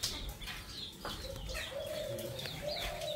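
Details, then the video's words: A tame Alexandrine parakeet said to speak five-plus words such as "ma" and "mithu" mimics speech in drawn-out, hoarse, human-like low syllables with a few sharper notes over steady background hiss. "The Sandana parrot that can speak five words"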